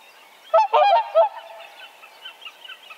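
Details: Whooper Swan giving a short burst of three or four loud, brassy honks early on, followed by faint, softer honking in the background for the rest of the moment.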